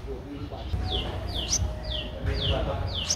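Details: Streak-eared Bulbul nestling, 13 days old, Ubon Ratchathani, Thailand, 15 April 2023: thin downward-sweeping chirps repeated roughly every half second over a steady low background rumble.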